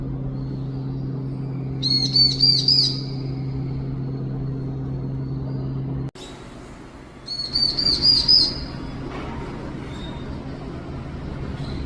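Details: Lost long-tailed tit chick giving a plaintive call for its mother: two short bursts of high, thin, rapidly repeated notes about five seconds apart, over a steady low hum.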